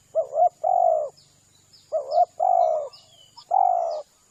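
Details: Lure call of spotted dove for drawing in the birds: three low cooing phrases, each a quick doubled note and then a drawn-out, slightly falling coo, with pauses between. A faint high whine sits in the background.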